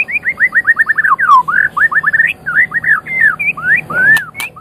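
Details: Champion-quality Medan white-rumped shama song used to stimulate other birds to sing: rapid runs of rich whistled upslurred notes, then varied looping and falling phrases, with a sharp click near the end.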